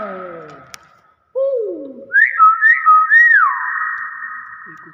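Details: Hill myna whistling after a person speaks. A short falling note comes first, then quick rising and bending whistled notes, ending in a long sustained even tone that trails away.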